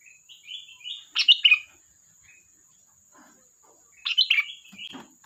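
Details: Sooty-headed bulbul singing energetically: soft rising whistled notes, then a loud bubbly burst of liquid chirping notes, repeated about three seconds later, with a faint steady high whine throughout.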